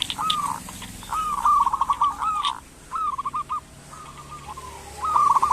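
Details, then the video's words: Zebra dove of local stock used as a lure so lazy doves will call: several bubbling, stuttered coo phrases with short gaps, set against light background noise. "Perkutut lokal gacor pancingan perkutut malas agar bunyi"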